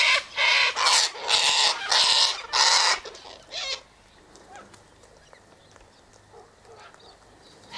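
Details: Sulphur-crested cockatoos (Cacatua galerita) eating sunflower seeds, wheat and birdseed put out by the eastern gate let out a rapid series of five or six harsh, shrieking squawks, then fall mostly quiet with faint calls.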